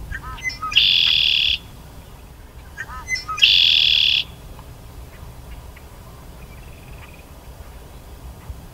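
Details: A Red-winged Blackbird sings twice in early May at Sax-Zim Bog, by a partly ice-covered lake in spring: a couple of short sharp notes, then a harsh buzzy trill held nearly a second, over quiet background hiss.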